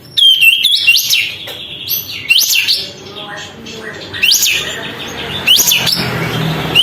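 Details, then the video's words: Sooty-headed bulbul, tail fanned, singing loudly to goad other birds; sweet rising-and-falling whistles in short bursts about once a second, with faint low background sounds. "kapas tembak gacor buka ekor, untuk memancing emosi burung lain"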